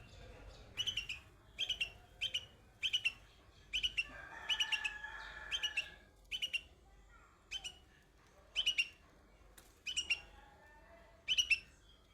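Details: Young bulbul singing on white flowers: crisp, high twittering phrases of two or three quick notes, repeated about once a second, with a softer, longer note near the middle and little other noise.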